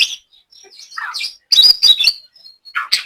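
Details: Caged white-rumped shama from Banyumas, Central Java, with soft warbling followed by loud harsh bursts and high twittering notes.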